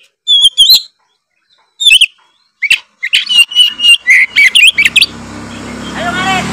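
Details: Oriental magpie-robin singing in the loud, nonstop gacor ngeplong style said to make other magpie-robins agitated: bursts of sharp whistled notes and buzzy chirps, then rapid varied phrases, ending with a rising hiss of background noise.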